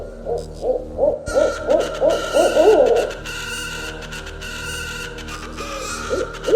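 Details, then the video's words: Owl hooting in a quick string of short notes for about three seconds, building in loudness, then fading out as steady electronic music takes over. "Som da Coruja - Sons da Coruja"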